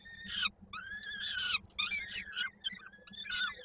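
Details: Peregrine falcons at a Koszalin nest, 16 May 2022, a young bird's foot stuck in a beak while being fed; thin wailing harmonic notes, one long steady cry then choppy descending squeals, with a constant faint hum.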